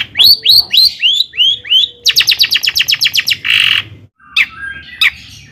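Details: Long-tailed shrike song used as a lure for other shrikes: a series of rising squeaky whistles, then a fast rattling burst of clipped notes, a harsh buzzy rasp and scattered sharp chips, over faint background hum.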